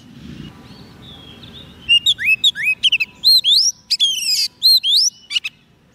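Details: After a quiet opening, a White-rumped shama breaks into song meant to call wild birds: clear upswept whistles, looping slurred notes and a dense buzzy burst, about three seconds of rich phrases.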